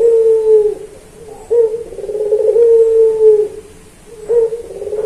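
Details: Puter pelung turtle dove in a training recording for songbirds: low, hollow coos, each swelling into a long drawn tone that slides gently downward, with short gaps between phrases.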